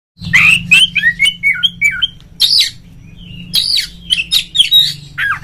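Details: Oriental magpie-robin, a kept bird's lure song used to provoke a rival into singing and fanning its tail: bursts of bright whistled notes sliding up and down mixed with harsh scratchy notes, a pause, then more phrases over a steady low hum.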